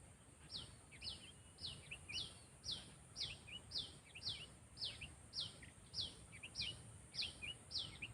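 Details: Sooty-headed bulbul in training as a lure bird: an even series of crisp, falling chirps, each followed by a short lower note, about two per second. Behind it is a constant high hiss.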